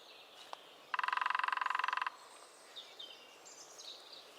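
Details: Lesser spotted woodpecker in the New Forest drumming: one even, rapid rattle of about twenty-five strikes lasting just over a second, with faint birdsong scattered before and after.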